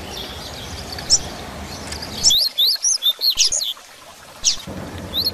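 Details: A captive Double-collared seedeater (Coleiro Grego) sings a quick run of high, sharp chirped notes, about eight in a second and a half, with a soft hiss behind it, played to teach other birds.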